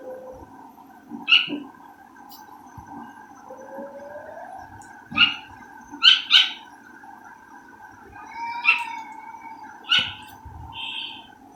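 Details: One of two caged partridges kept apart while food was cooked gives scattered sharp, high calls, some in quick pairs, over a constant humming background with a few kitchen clatters.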